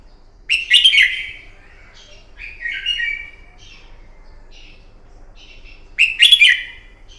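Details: Morning fighting song of a red-whiskered bulbul, played to train a bird: three loud warbling phrases, the first and last with clicky onsets, a quieter phrase between, then a gap of silence.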